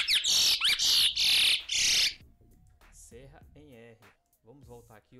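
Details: Curió, or chestnut-bellied seed finch, repeating its serra em R song phrase, a style linked to paracambi singers; four intense raspy buzzing bursts last about two seconds, followed by a man talking in Portuguese.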